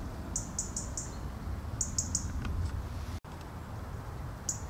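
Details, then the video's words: A European robin gives alarm calls: very high, thin notes in quick clusters of three or four, then one more after a pause, over a low rumble of background noise. "Rotkehlchen Warnrufe"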